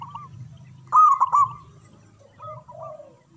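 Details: Local zebra dove singing loudly in manggung fashion as a lure for mute doves; one powerful rolling phrase of quick coos after a second, followed by softer, lower cooing notes near the end over background hum.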